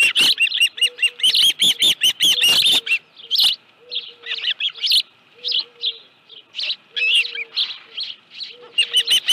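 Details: At the Dunrovin Ranch nest on 25 July 2018, late afternoon, an osprey with a live fish gives fast runs of shrill piping chirps, dense at first, then broken into shorter groups, over a repeated low flat tone.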